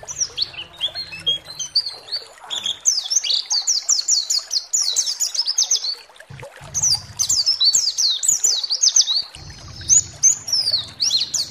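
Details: White-eye (pleci) lure song, played to provoke other white-eyes into singing: dense runs of high, thin, quickly slurred chirps, pausing briefly near the start and middle, with faint low hum beneath.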